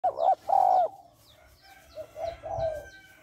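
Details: Female spotted dove calling to stimulate males: two loud, mellow coo notes open, followed after a pause by a softer, broken cooing phrase with a low hum underneath.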